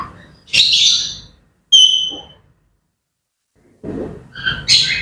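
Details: Grey parrots chattering in the morning: a short hissy burst, then a clear whistled note with bright overtones, a pause, and a final run of mixed squawks and chirps.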